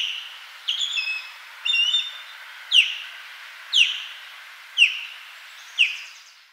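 Osprey giving high, thin whistled calls, a few short chirped notes then sharp descending whistles repeated about once a second; no other sounds.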